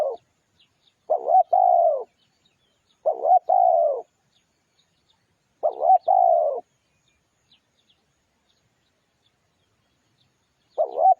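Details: Cooing of a spotted dove used as a lure: four phrases at uneven intervals. Each opens with a quick throaty double coo and ends with a drawn-out falling note. The background is silent.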